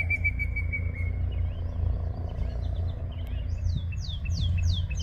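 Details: Yellow-breasted chat singing at Osborn Metropark, Huron, Ohio, May 23, 2023, 10:12 AM: a steady held whistle, then a quick series of high, down-slurred whistled notes, over a constant low rumble.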